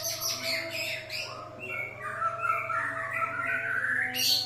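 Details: White-rumped shama singing to provoke other birds: rough scratchy bursts give way to a smooth rising whistled phrase, ending with a sharp high note, over a continuous background hum.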